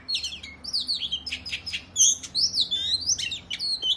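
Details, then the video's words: Oriental magpie-robin, known locally as kacer, singing a vigorous 'ngobra' fighting song meant to provoke other males into opening their tails; bright whistled phrases with rapid slurred notes and sharp chips, high and varied throughout. "Kacer gacor tarung ngobra dijamin Kacer lain langsung ngeplay Buka Ekor !!"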